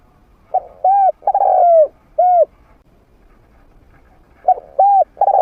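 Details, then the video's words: Spotted dove kept as a trained lure bird with a medium-pitched voice, meant to draw wild doves into combat: soft coos leading into a long descending note and a closing coo, then the phrase begins again. "เสียงนกฝึก นกเขาใหญ่เสียงกลาง เปิดต่อนกป่ากล้าเข้าสู้ไม่ตื่น"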